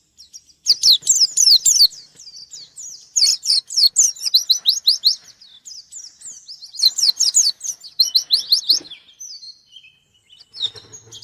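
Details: Singing white-eye challenging a rival, delivering loud clusters of fast, high-pitched chirps and slurred twitters in three main bursts separated by softer warbling, ending with thin sustained notes.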